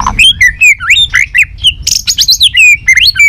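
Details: White-rumped shama, a fighting-style competition song: fast varied phrases of whistled notes swooping between mid and high pitch, interspersed with sharp chattering bursts, delivered in rapid succession.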